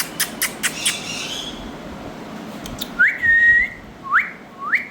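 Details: Indian ringneck parakeet pairs: a few sharp clicks at the start, then three clear whistled notes that sweep quickly upward and briefly hold a steady pitch, the longest about half a second, over quiet indoor background.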